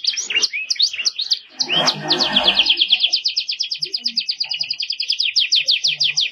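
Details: Canary song for tutoring young birds, described as clear with luxurious phrasing: scattered sharp whistled notes and a short burst of noise, then a sustained rapid trill of repeated slanted notes.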